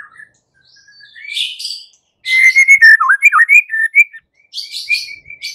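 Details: White-rumped shama singing a fighting song meant to make other shamas respond: soft thin whistles at first, then a loud burst of rapid, twisting whistled notes with sharp high accents, ending in brief high chips.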